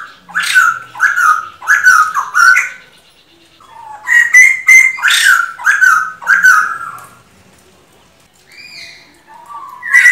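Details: Song of a male black-throated laughingthrush, known locally as bồ chao, played to fire up a decoy bird: strong, down-slurred ringing phrases repeated in rapid runs of four or five, separated by short quiet gaps, with a clear whistled note closing.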